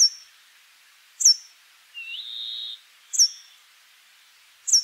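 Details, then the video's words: Brambling giving a single long, buzzy, wheezing note that starts with a slight upward hook, with loud, crisp, very high notes recurring about every second before and after. "Canto do Tentilhão-montês (Fringilla montifringilla)"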